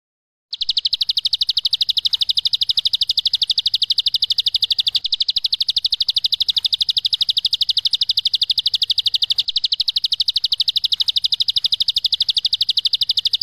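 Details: Bar-winged prinia giving a long ngebren song recorded as a masteran training track: a rapid, steady, high-pitched trill of sharp repeated notes running almost without break for over twelve seconds, with only brief dips; no other clear sounds.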